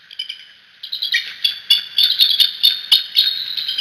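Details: A nest-cam recording of the bald eagle pair at the Decorah nest: a few soft high chips build into a sustained, rapid, piercing chatter of clipped notes, roughly four to five a second, throughout.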